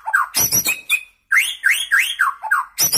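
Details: Fast, powerful song of a young white-rumped shama just past juvenile plumage: crisp upslurred and downslurred whistles in quick succession, with harsh clicking bursts and a brief pause.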